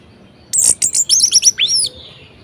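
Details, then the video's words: Brief varied phrase from a caged orange-headed thrush, used to get idle birds singing: a burst of high chattering notes followed by a rising then falling whistled slur. "Anis Merah Gacor Variasi Bangkitkan Emosi Anis Malas Bunyi Agar Rajin Berkicau"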